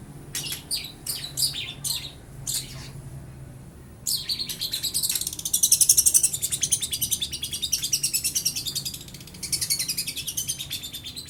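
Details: A young long-tailed shrike imitates lovebird and house sparrow sounds. A few separate downslurred chirps lead into a sustained, very high, rapidly pulsing chatter that runs on for seven seconds.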